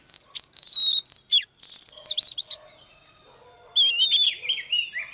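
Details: Oriental magpie-robin sings in live training where a female spurs on a male: several crisp falling whistles, a fast twittering run, a quiet stretch, then renewed rich warbling.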